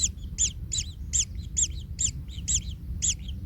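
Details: Kingfisher chick in its nest, trampled by the parent and in pain: sharp, high, scratchy calls repeated roughly every half second, each followed by a softer note, above faint low rumble.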